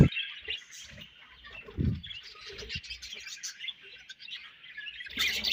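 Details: Budgerigars chattering in a colony, a steady thin high warble with scattered chirps, interrupted by a few low thumps and a louder chirp burst at the end.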